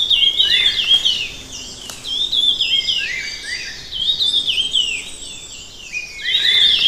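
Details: Red-tailed minla delivering repeated bursts of high, rapid, descending twittered phrases, roughly every second or two, with a brief click and soft background hiss.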